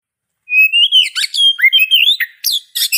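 An Oriental magpie-robin sings a varied run of clear rising whistles, slurred notes and scratchy chips, all high-pitched and delivered in quick succession.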